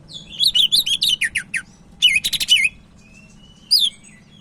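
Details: Sumatran leafbird, known locally as cak ijo Medan, singing vigorously for use as a master track: a fast string of wavering whistles falling at the end, a buzzy chatter, then one rising whistle.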